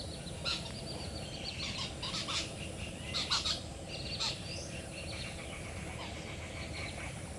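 Cotton pygmy goose giving sharp, clipped, cackling notes in loose clusters over a few seconds, above a steady low rumble of background noise.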